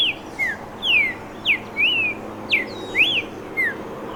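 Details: Streaked saltator delivering a steady run of clear, sweet whistles, about one note each half second. The notes alternate between sharp downward slurs and drawn-out arched whistles, against soft background hiss.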